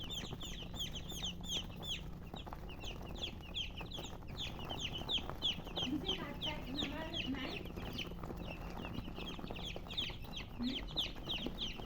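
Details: Baby chickens chirping nonstop, crowded high downslurred peeps about three per second, with brief lower sounds midway and a humming background.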